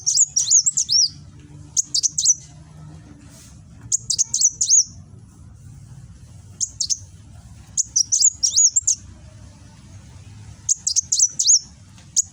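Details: Kolibri Wulung sunbird from Gresik, East Java, giving its 'nembak' song on a phone recording: repeated short phrases of sharp, very high chips and a whistled slur, spaced about two seconds apart, with low hum behind.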